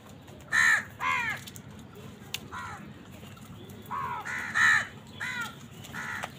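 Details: A house crow, among crows fighting wild birds for food, gives harsh, nasal caws in two pairs, a second or so apart, over a low hum of background noise.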